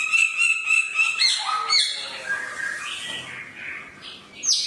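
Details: Samyong bird with a piercing voice: begins with a rapid repeated level chattering note, then slurred falling whistles, quieter warbling, and a final high sharp note.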